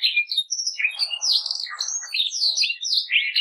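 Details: Belgian canary (Serinus canaria domestica), song.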